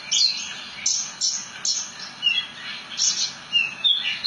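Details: Branjangan, or Javan bush lark, singing short high bursts of chirps and thin whistles, repeated about every half second.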